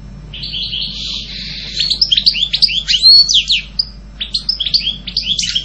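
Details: European goldfinch singing a lively, rapid twitter of short slurred notes and buzzy trills, beginning softly, bursting loud near three seconds, pausing, then resuming with bright chirps.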